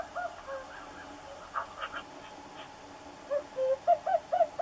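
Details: Common cuckoo giving falling two-note cu-coo calls, quiet at first, then a closer run of quick repeated notes, with faint chatter from other birds behind.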